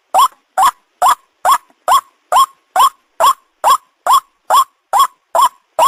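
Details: Lure recording of a white-breasted waterhen for bird catching: a regular run of fourteen loud, rasping upslurred croaks, a little more than two per second, with clean silence in between.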